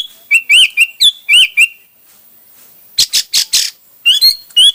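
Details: Hwamei singing in a varied way: a quick string of looping whistles, a pause, a burst of harsh rasping notes, then more clear whistled phrases.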